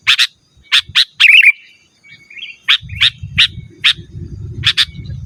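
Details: Sooty-headed bulbul calling rivals, used to attract wild birds and as a master for cage birds: sharp chirps with a quick warbled flourish, a quiet pause, then paired chirps over a low rumble.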